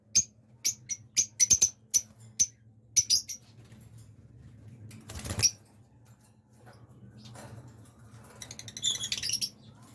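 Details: A blue lovebird breeder pair gives a quick run of sharp, shrill chirps, about ten in three seconds, then a brief rustle and some scratchy twittering near the end.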